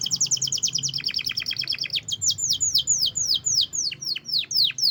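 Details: Caged canary singing loudly after being left over the holiday homecoming trip: rapid high trills of repeated notes, then a run of descending sweeping whistles, continuous and energetic.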